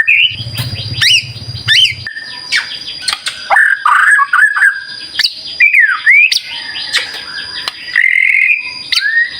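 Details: White-rumped shama (murai batu) in full, vigorous song, offered as a lure to make other shamas sing: varied loud whistled phrases with rising and falling slurs and sharp chips, plus a short low hum early on.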